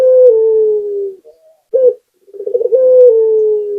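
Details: Local spotted dove singing vigorously: a long, low, smoothly falling coo, a short hoarse note, then a rapid rolling tremolo that flows into another drawn-out descending coo, with no other sounds.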